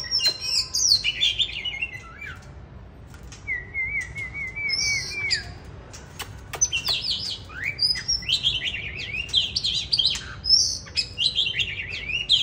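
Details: Bird in winter 2023 delivering 'than' lament-style song: bursts of high jumbled chirps, a steady wavering trilled note held for about two seconds, then more fast zigzag phrases and sharp clicks.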